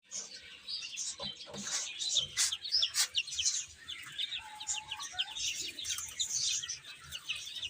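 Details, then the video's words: Baby chickens eating and playing: a dense chorus of high, short peeping chirps from many chicks, overlapping continuously, with a lower slurred note near the middle and soft pecking clicks beneath. "Cute Chicks Chirping Sounds | Beautiful Baby Chicken Eating and Playing"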